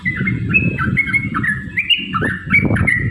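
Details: Yellow-vented bulbul (trucukan) provoking song: slurred, liquid whistled notes in an irregular sequence over heavy low rumbling noise.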